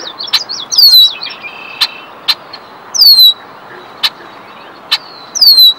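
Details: Red-winged Blackbird on territory at Minnesota Valley National Wildlife Refuge giving high, down-slurred whistles about every two seconds with sharp dry ticks between; Common Yellowthroat, American Crow and Green Frog in the background.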